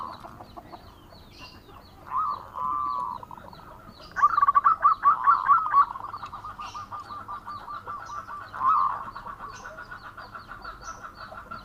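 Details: Local male zebra dove singing actively, a natural wild-type voice offered as a lure sound: a short trilled coo, then a loud stuttering run of rapid bubbling notes, a fainter rolling trill, and another burst near the end.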